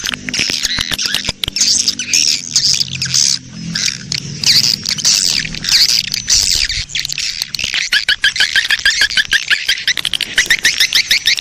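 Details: Breeding-colony swiftlet sound meant to draw in swiftlets: loud, high twittering chirps and clicking pulses stream on throughout, with a low droning hum under the first seven seconds.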